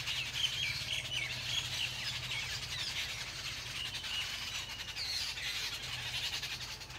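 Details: A flock of more than ten Jungle babblers (Turdoides striata) on a bamboo fence in New Delhi babbles in a harsh, squeaky chatter of overlapping high calls, several voices at once, over a low steady hum, amid mock fights and allopreening.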